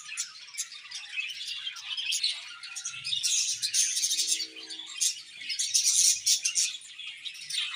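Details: Chirping budgies filling the air with overlapping high twitters and scratchy chatter, pulsing in bursts, with a short low hum and soft knocks.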